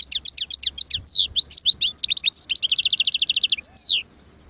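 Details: European goldfinch singing, a fast high stream of sharp twittering notes, then a rapid even rattle-like trill and a final buzzy note, with faint low background hum.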